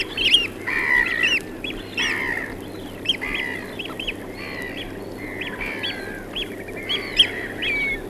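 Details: Eurasian oystercatcher calling among black-headed gulls in Norfolk, U.K.: a busy stream of loud, shrill piping notes, some in quick runs, mixed with harsher drawn-out gull cries over a low rumbling background.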